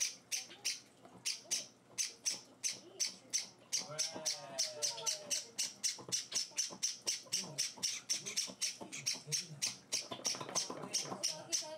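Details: Several pet Java sparrow chicks beg during hand-feeding on their fourth day at home. A long, fast stream of harsh, high chirps runs almost nonstop, about four a second, while a person talks quietly through it.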